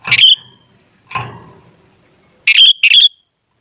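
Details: Sooty-headed bulbul singing. Short, loud, bright whistled phrases come in separate bursts: one at the start, one a second later, then two quick linked notes near the end, with silence between.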